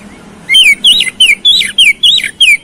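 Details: Song of an oriental magpie-robin used to provoke fighting: a quick series of about seven clear, downward-slurred whistled notes, roughly four per second.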